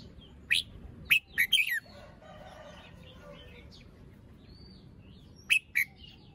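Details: Young red-whiskered bulbul in a cage, still molting with an unfinished crest, shows its song style in the morning: a cluster of quick sharp whistled notes, then softer warbling, and a final pair of notes.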